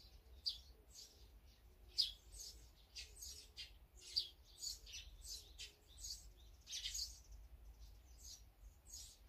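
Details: Mixed birds at a feeding place, named as azure-winged magpie, sparrow, great tit and brown-eared bulbul, trading short high chirps and squeaks in loose, irregular bursts, with faint lower tones beneath.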